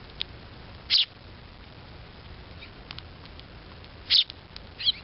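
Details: Young sparrow in Japan calling for its mother with "che" calls: two loud, brief, high-pitched chirps about three seconds apart, a closing pair of short notes, and faint high ticks in between over low steady background noise.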